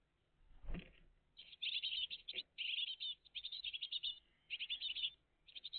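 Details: Great tit family at their nest, early morning of 20 June 2023: a low thump, then long dense runs of high, harsh chattering chirps with brief gaps.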